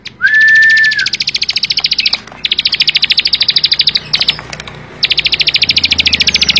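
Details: Bar-winged prinia (ciblek sawah) song: one sustained whistle, then long runs of rapid dry ticking notes, several trills in a row with brief pauses, about three to four notes per second.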